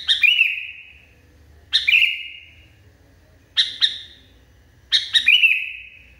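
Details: Worked-up Sooty-headed Bulbul delivering four bursts of harsh, snapping notes roughly every one to two seconds, several ending in a sustained, fading whistled tail.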